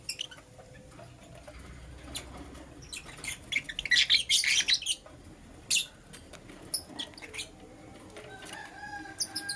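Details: Morning chirping from pet lovebirds, Green Personata and Yellow Pastel Pied: a burst of harsh, rapid high chirps in the middle, a lone shrill squeak after, and a few scattered thin calls over faint background hum.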